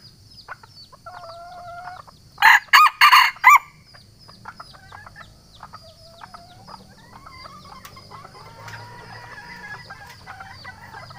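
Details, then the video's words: Junglefowl from Sumatra giving a challenge call to a rival, used for luring: four sharp, harsh pulses in quick succession mid-recording, surrounded by faint whistled calls of other birds and a low steady hum. "suara ayam hutan manggil lawan cocok untuk mikat ayam hutan"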